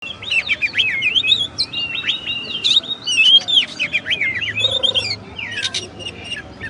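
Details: Oriental magpie-robin, known locally as kacer, singing a rich, varied song of whistled notes, quick slurred sweeps and sharp chips in rapid succession, with a brief low hum in the background.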